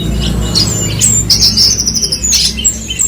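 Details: Bush lark (branjangan) singing a rapid, varied stream of high chirps and thin whistles, with short bright trills near the middle over a steady low hum.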